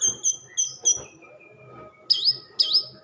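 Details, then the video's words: Orange-headed thrush, called anis merah, singing: a few clear high whistled notes, long fading slurred tones, then two loud warbled rising phrases, with some low rustling noise behind. "kicau anis merah"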